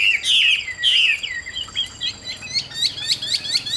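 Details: Caged Chinese hwamei, praised as a fierce-faced bird good for fighting or singing. It opens with bold ringing whistles, then shifts to a fast series of short sharp chips, about two per second, over a faint steady high hum.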